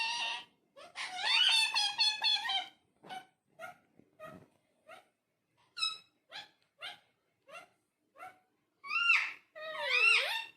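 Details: Talking parrot indoors: a loud burst of harsh, layered chatter, then a string of short clipped syllables spaced about a second apart, ending in wavering, speech-like warbles.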